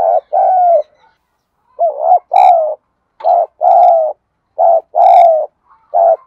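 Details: Spotted dove giving repeated low coos meant to provoke other doves into calling, each phrase ending in a longer falling coo, with a few brief higher chirps from another bird mixed in.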